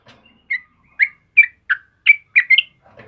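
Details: Short phrase of yellow-vented bulbul song for training caged birds: six or seven clear, rising-and-falling chirps spaced roughly every third of a second, ending with a faint rustle.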